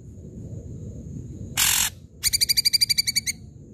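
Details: Ashy drongo, loud singing bird used as a lure for quiet drongos: a harsh noisy burst, a pause, then a rapid run of about a dozen bright ringing notes, with a faint steady high tone behind.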